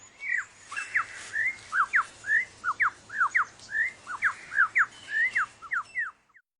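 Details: Male lyrebird mimicking forest sounds to outsing rivals. A fast, steady run of about twenty slurred whistled notes, each sweeping up and down, repeated several times a second for six seconds.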